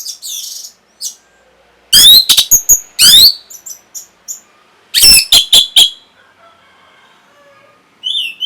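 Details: Orange-headed thrush song to raise breeding drive and coax a reply: loud jumbled bursts of crackling, whistled notes in quick clusters, separated by pauses, with a soft fluting whistle at the end.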